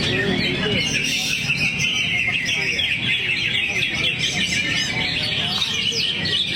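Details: Greater green leafbird giving an unbroken run of quick, high chirping and twittering phrases against a constant low droning background.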